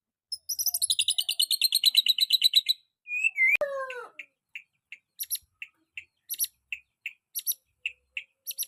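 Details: Young white-rumped shama, recorded as a tutor for other birds: a long rapid rattle of buzzy notes, then a few slurred whistles, then short sharp notes repeated roughly every half second mixed with clicks.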